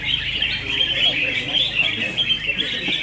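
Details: Competing red-whiskered bulbuls at a singing contest give a constant wash of high, chattering, whistled notes from many birds together, with faint background talk.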